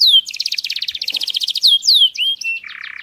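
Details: Canary song used for mating and stimulating birds: a rapid run of buzzy high trills, then sharp downward-swept whistles, a clear steady whistle and a closing rattly buzz, all bright and loud.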